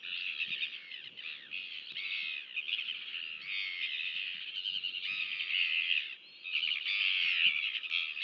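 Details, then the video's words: At a New Zealand nest, a Royal albatross chick is fed while a nest camera records on 23 January 2023. Uneven, nasal, harmonic calls repeat in bursts with short gaps, and their pitch wavers throughout. "Royal Albatross -Albatros królewski (NZ) - L & SP, karmienie maluszka"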